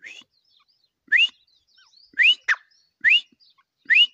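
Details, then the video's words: Grey francolin uttering loud, upward-sweeping whistles repeated roughly every second, with one short buzzy note slipped in between. The setting is otherwise quiet. "Teetar awaz | teetar sounds"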